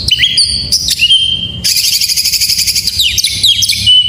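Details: Full-varied song of a white-rumped shama, played to stir silent shamas: sustained whistles stepping between pitches, then a dense burst of rapid buzzy trills and twittering notes.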